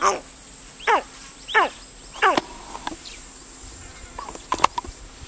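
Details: A Tawny Eagle with a monitor lizard it has killed, as others try to take the kill, gives three quick, harsh calls sliding downward in steps under a second apart, followed by scattered clicks and knocks.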